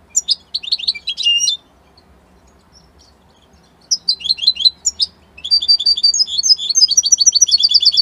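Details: European goldfinch, labelled Italy: a short twittering burst, a pause of a few seconds, then long, increasingly rapid tinkling and buzzy phrases.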